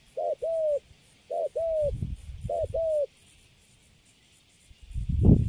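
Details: Caged spotted dove, recently caught, cooing: three low two-note coos, short then long and level-falling, in quick succession, followed by silence and a loud low thump at the end.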